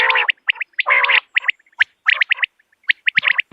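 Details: Common quail call: two low, nasal, harmonic bursts followed by clusters of short, sharp, high notes in quick triplets, separated by brief pauses and soft clicks.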